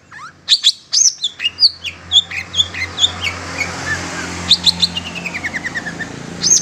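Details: Long-tailed shrike lure call for trapping wild birds: high, sharp chirps and harsh notes in quick bursts, then a fast descending trill-like run; a faint low hum underneath.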